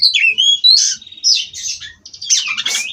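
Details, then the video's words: Short burst of rolling song from a captive-bred White-rumped shama, Cirebon stock: rising whistled slurs followed by harsh buzzy chatters. "Kacer Ini Ngerol Tanpa Henti"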